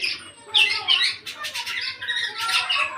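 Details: Eight-month-old black-naped oriole entering full song, producing loud scratchy squawks and warbled notes in two main bursts, with a thin high whistle running through.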